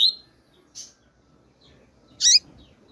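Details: Female double-collared seedeater calling: a sharp high chip, a short buzzy note, then a loud twisting high chirp, separated by pauses.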